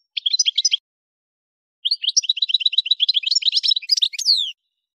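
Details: Kef El Hammam, Souk Ahras: an Algerian goldfinch sings for tutoring caged birds, with a brief tinkling phrase, a pause, then a long sequence of rapid chirps rising into varied twitters and a sweeping descending note.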